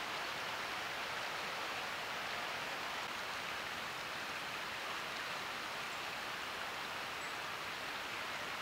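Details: Continuous loud roar of rushing river water on the Potomac in spring, even and unbroken, with no animal calls.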